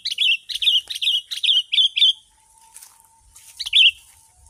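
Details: Sooty-headed bulbul, called kutilang, used as a lure for wild birds, singing bright whistled phrases repeated about every quarter second, then a pause with a faint steady tone, and a final burst of song.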